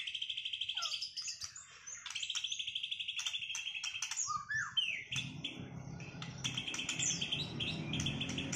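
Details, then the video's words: White-rumped shama, a duel session of birds after moulting, used to restore singing performance; rich varied song of whistles, rapid trills and sharp chattering notes, with a low rumbling noise in the background later. "Duel murai batu lepas mabung buat mengembalikan performa burung"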